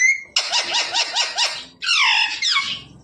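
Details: Talking pet parrot indoors, copying human phrases taught in Hindi. It gives a rapid run of about six squeaky, clipped syllables, then a longer descending voice-like phrase. A person's coaxing speech is heard around it.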